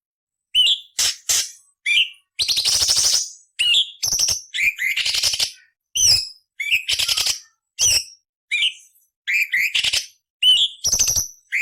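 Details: ["Cucak cungkok singing rapid alternating phrases of short whistled notes and rough rasping bursts, a master song of harsh 'nyerecet' variations meant for training murai, cucak ijo and kacer."]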